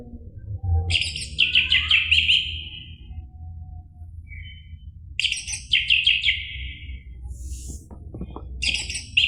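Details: Orange-headed thrush song used to prompt a caged bird. Three bursts of fast, trilled, bright warbling, each falling in pitch over a second or two, separated by short pauses. Some low rumbling underneath.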